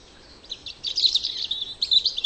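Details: A European robin in a garden sings a quick, high, tinkling warble of thin trills and twittering notes that run on without pause.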